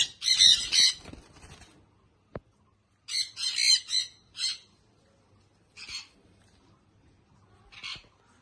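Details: Baby sun conure parrot giving harsh, broadband screeches in short bursts, a loud double squawk at the start, then a cluster of three, and single squawks spaced a second or two apart with quiet gaps.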